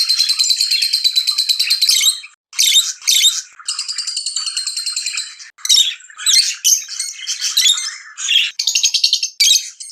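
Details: Lovebirds chattering excitedly while mating, alternating long buzzy rattling trills with short bursts of shrill, harsh chirps and a few brief pauses.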